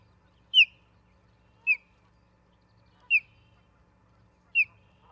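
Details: Osprey at a nest in Charlo, Montana, recorded 3 October 2023 at about 09:10: four sharp, downslurred whistled chirps, each short and spaced roughly a second apart, against faint steady low background hum.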